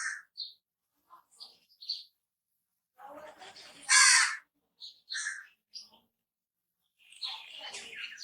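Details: Crow calling: a single loud, rough caw stands out midway, with scattered short chirps and quieter raspy sounds before and after it.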